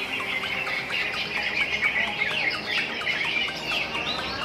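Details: Several greater green leafbirds at a songbird contest practice session sing over one another in a dense, unbroken tangle of bright, quick whistles, chirps and slurred notes, with no pauses between phrases.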